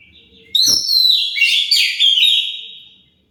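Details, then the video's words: Kacer, or Oriental magpie-robin, singing a lure song meant to make other birds reply: after a short quiet start and a soft knock, a rich, continuous stream of bright whistles, twittering trills and slurred high notes runs on, then fades out. "Pancingan Kacer pasti nyaut"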